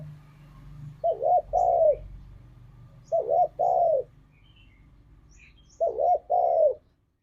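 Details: Spotted dove (tekukur) song in the forest style called ngalas, played as a lure to get pet doves singing: three two-note coo phrases, each an arched note then a longer falling coo, spaced about two and a half seconds apart, with a low rumble early on.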